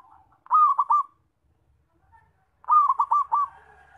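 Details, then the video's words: Zebra dove calling loudly, a sound used for luring and trapping: two short runs of rapid, trilled coo notes separated by a silent pause, with a soft drawn-out coo at the start. "PERKUTUT SUARA KENCENG BAGUS BUAT PANCINGAN DAN PIKAT"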